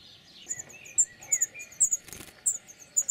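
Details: Spring courtship song of a European serin among olive branches: sharp, very high tinkling notes in quick clusters, mixed with lower, drawn-out whistles from another bird.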